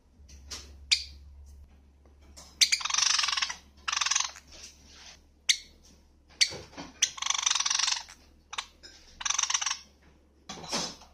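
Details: Java sparrow in a medley of song, contact and begging calls: bright, rattling chirps and short scratchy bursts in clusters every second or two, with a faint low hum behind.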